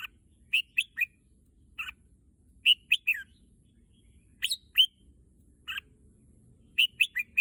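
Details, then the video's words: Red-whiskered bulbul kept in a cage, keen for the singing contest field, giving clear whistled two- to four-note phrases, some slurred downward, spaced by short silences in an otherwise still setting. "เสียงนกกรงหัวจุก ไอ้เสือ อยากไปเที่ยวสนาม แต่ร้องอะไรของเอ็งเนี่ยยยย"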